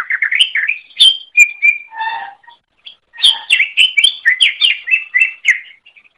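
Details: Training song of a greater green leafbird: rapid, continuous phrases of rising whistles and sharp chirps, a brief lower buzzy note in the middle, then a dense run of varied whistled notes.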